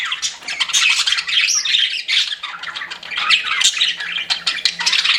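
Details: Chirping pet budgies: a rich, scratchy babble of rapid clicks, squeaks and buzzy whistles, steady and unbroken throughout.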